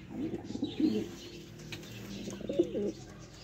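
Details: Afghan breed pigeons of Parachinar cooing: two low, throaty rolling phrases about two seconds apart, each a bubbling series of short pulses, over steady background hiss.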